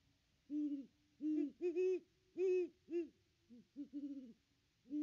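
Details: Great horned owls, a pair visiting their nest tree on Christmas Day 2021, one perched on the back branch and hooting: a loose series of about nine low, muffled hoots of uneven length and spacing, some doubled, with quiet gaps between.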